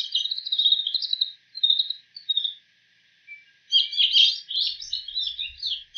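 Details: Imitations of other bird species by a wild bull-headed shrike: scratchy twittering phrases, a pause, then a dense burst of jumbled chirps and warbles.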